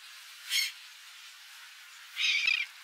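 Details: Laughing gull bathing in Texas in spring 2021: two short harsh nasal calls, about 1.7 seconds apart, over a steady background hiss.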